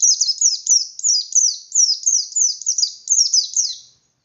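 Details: White-eye in a cage delivering forceful ngalas song meant to rile other white-eyes, a steady run of high, shrill descending chirps packed closely together, each note slurring downward, with no other sounds.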